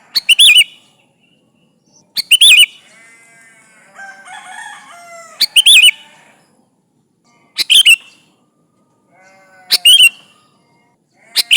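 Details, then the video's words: Sooty-headed bulbul in full voice calling rivals, used as a lure: loud, harsh chirped bursts of two or three notes repeat about every two seconds, with softer warbled and whistled notes from other birds in the gaps. "Suara burung kutilang gacor memanggil lawan Ampuh buat pancingan"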